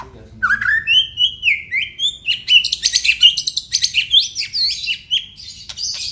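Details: Aceh white-rumped shama delivering a rich song of high, rapid chirps, rising whistled slurs and dense twittering phrases, notes tumbling quickly with little pause.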